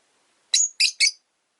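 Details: Caged rosy-faced lovebirds, three kept together in one cage by a window, where the original white-faced bird dislikes the yellow-faced newcomer: three sharp, shrill chirps in quick succession, the first slightly longer with a whistled tail.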